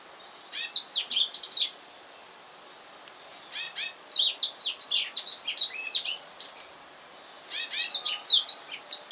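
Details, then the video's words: Newly bought male black-throated canary singing indoors at home the afternoon he arrived; three bursts of rapid high twittering phrases with downslurred notes, separated by short pauses. "Serinus Atrogularis - blackthroat finch"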